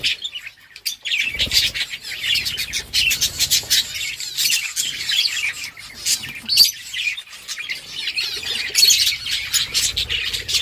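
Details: Several budgerigars chirping while playing with each other on October 30, 2023: a steady, busy chatter of rapid high twitters and scratchy squawks, broken by a few louder sharp notes.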